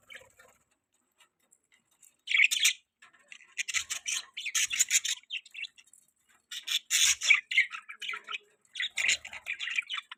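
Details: Budgerigars kept in an outdoor aviary give scratchy, buzzy chatter in dense bursts separated by short silences.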